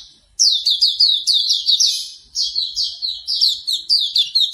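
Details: Hume's white-eye singing a fast chain of bright, falling chirps after a short lead-in, notes tumbling steadily without silence. A morning track meant to coax a bird into singing.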